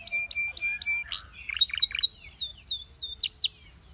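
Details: Song of a Belgian canary: four quick high chirps, a swooping glide, then jumbled twittering and a series of loud down-slurred whistled notes.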